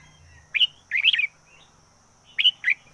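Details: Decoy red-whiskered bulbul sings a lively whistled note, then a fast tumbling warble, and after a pause two more sharp whistles, with a faint low rumble early on.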